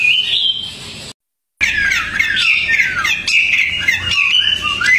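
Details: Tame Hwamei singing outdoors, loud and vigorous: rich whistled phrases with slurred downward glides and quick varied notes, briefly cut by a gap of silence.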